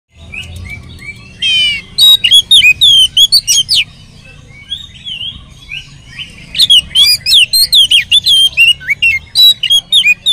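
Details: Oriental magpie-robin song used as a lure to make other magpie-robins sing; loud, rich varied phrases of sharp whistled and slurred notes, fast rapid bursts around two and seven seconds, with a quiet gap between.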